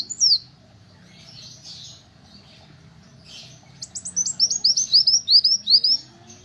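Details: Little spiderhunter song, offered as a tutor recording for training caged songbirds: one sharp high chirp, then a quick run of about a dozen thin, down-slurred chirps packed into the last two seconds, over a low steady hum.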